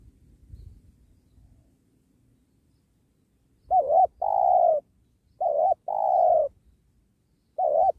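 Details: Spotted dove at a trapping site by a sacred tree, with soft low thumps at first, then a double note and long coo, repeated, and a final clipped note, all mellow and descending.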